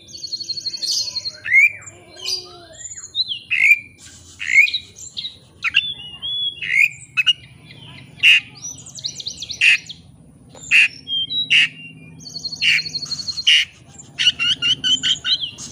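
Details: Long bout of white-rumped shama song meant to provoke another bird into counter-singing: loud whistles mixed with harsh squawks and scratchy chatter, ending with fast repeated clicking notes, over low background noise.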